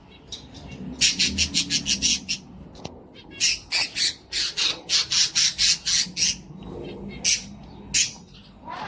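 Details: Pet cockatiel indoors, singing and dancing: a rapid run of loud, harsh, high squawking notes, about four per second in bursts with short pauses, over a low room hum.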